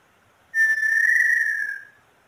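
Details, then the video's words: Small-billed tinamou, a female, whose song can run slow or fast: one clear, pure whistled note about one and a half seconds long, starting sharply and sliding gently lower before fading, over a quiet background. "Canto da Inhambu Sururina"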